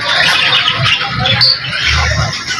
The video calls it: Ringneck baby parrot feeding